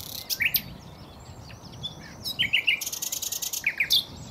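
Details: Common nightingale song with sharp scratchy notes, a quiet middle passage, then a loud fast series of repeated clicking notes and a bright final chirp.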